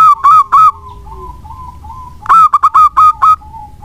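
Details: Local zebra dove singing, used as a lure to prompt other doves: a few loud hoots, then softer fading notes, followed by a quick burst of clipped coos that steadies into several ringing notes.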